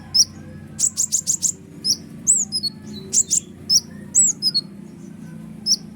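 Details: Noisy kolibri ninja sunbird singing at full output, used to provoke other songbirds: a quick series of five very high ticking notes, then sharp descending whistles and chirps spaced every half second, over a low steady hum.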